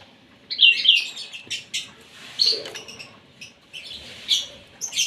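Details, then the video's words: Asian pied starling, fed breakfast to make it sing: a few bright squeaky notes, then scratchy, buzzy chatter in short bursts mixed with faint clicks and low background noise. "SARAPAN PAGI BURUNG JALAK SUREN SUPAYA GACOR"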